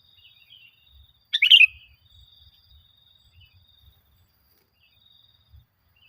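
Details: Sooty-headed bulbul lure recording for training caged birds: a single short burst of bright chirped notes, otherwise quiet with a faint thin high tone.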